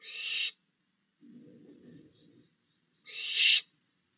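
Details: Fledged barn owl owlets, three in all, at a yard nest site on a June night while the parent still brings food. Two loud, noisy hissing screeches roughly three seconds apart, separated by a softer, lower rustling murmur.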